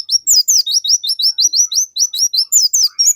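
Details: Continuous fast song from a dakun white-eye meant to lure other white-eyes into singing: an even stream of high, clear, down-slurred chirps, about five per second, without a break.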